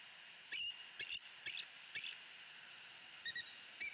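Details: Eagle pair in the upper branches of their Southwest Florida nest tree, vocalizing disapproval at bothersome crows; quick high chirps repeated about every half second, some doubled, over a steady hum.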